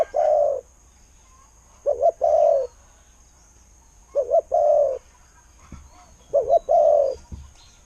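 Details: Repeated spotted dove coos in the kuu-ang style: the end of one phrase, then three full phrases, each a stuttered double hoot followed by a long, smooth low coo, spaced about two seconds apart, with faint knocks.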